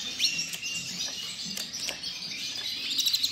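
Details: Breeding male Norwich canary singing: a dense, continuous high warbling of rapid chirps and trills, with brief sharper notes rising near the start and end.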